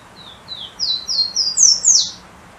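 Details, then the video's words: Golden-crowned warbler, called pula-pula, singing a short series of high thin whistled notes, each slightly higher than the last, ending in a sharp upward-then-falling note; soft background hiss. "Canto do Pássaro Pula Pula"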